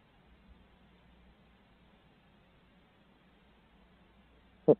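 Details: Near silence with a faint low hum, broken at the very end by a single sharp knock.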